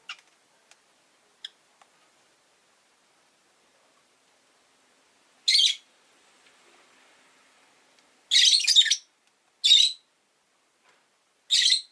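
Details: Caged rosy-faced lovebirds, five together indoors by a window, give scattered short ticks, then four loud grating squawks at irregular intervals, one of them a longer doubled burst.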